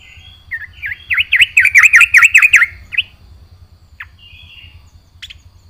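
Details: Vigorous full-fill song of a yellow-vented bulbul: a fast, loud series of about eight repeated down-up slurred notes lasting two seconds. A few isolated chips follow, then quiet.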